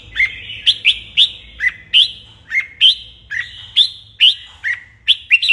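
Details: Red-whiskered bulbul morning contest song used for training: a steady series of about a dozen short, upswept whistled notes, each dropping then climbing, delivered roughly every half second in a bouncing rhythm.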